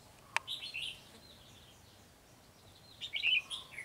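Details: Red-whiskered bulbul, white-cheeked type, at a trapping site on 12 July 2020, hopping and flicking its tail; a short chirpy note early on, a quiet gap, then a burst of bright, scratchy high chirps.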